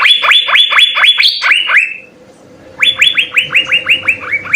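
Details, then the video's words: Asian fairy-bluebird singing gacor with full isian: a fast string of bright upward-sweeping whistles with one higher note, a gap filled by low hum, then another even series of rising whistles. "suara 3 CUCAK BIRU GACOR full isian"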